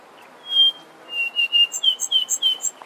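Brown scrub robin singing: a long pure whistle, then a run of about ten sweet, slightly rising and falling whistled notes at a quick, even pace.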